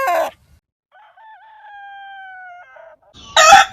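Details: Chicken crowing from a distance: a thin, level crow with a small wobble held about two seconds between sharp, loud noisy bursts at the start and end.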